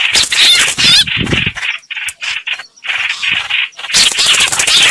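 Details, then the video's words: Recorded as a lure for trapping, streak-eared bulbul gives choppy squeaky chatter and a few whistled slurs in uneven bursts, with low rumbling noise at the start and end. "Tiếng chim hoành hoạch mồi chuẩn"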